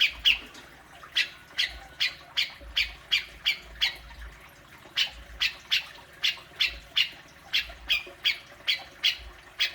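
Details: Provocative besetan calling of a grey-cheeked bulbul, known locally as cucak jenggot: strident, grating single notes repeated nearly three times a second in loose, uneven groups.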